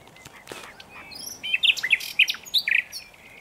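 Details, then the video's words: Common nightingale singing, a scatter of whistled notes and short upslurred phrases building toward a brighter, louder run of sharp chirps near the end. "Canlı Bülbül Sesi HD / Common Nightingale"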